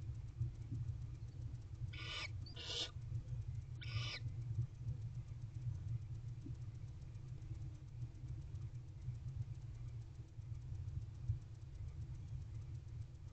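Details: Wild barn owl pair mating and bonding in a nest box on 8 April 2023 at 8:50 pm, the fiftieth night. Three faint, hissing screeches sound over about two seconds against a steady low rumble.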